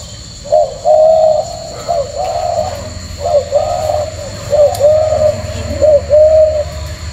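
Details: Tame caged male spotted dove with leg rings cooing steadily. Four or five low hollow phrases, each a quick note leading into a drawn-out even coo, come about every second and a half above a soft low drone.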